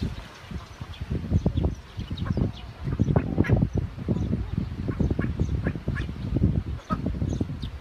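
Call ducks quack loudly and continuously, several birds overlapping in rapid, harsh, nasal bursts with little pause between them.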